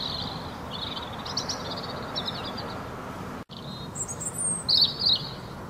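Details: European robin singing in spring at Sutton, County Dublin: high, thin, wavering phrases broken by brief pauses, with a sweeter, sharper burst near the end over a steady background hiss of wind or distant traffic.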